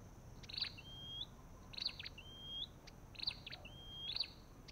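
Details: Olive-backed tailorbird: three evenly spaced phrases, each a buzzy burst followed by a long, level-then-rising whistle, about every second and a half.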